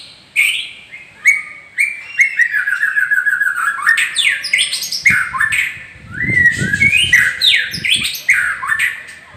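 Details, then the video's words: Captive champion White-rumped Shama, a male-line breeding bird from Gondanglegi, Malang, East Java, Indonesia, singing a rich varied song of whistled rising and falling phrases, rapid trills and sharp chips, with faint low human voices in the background. "Burung Muray Batu LAHAR"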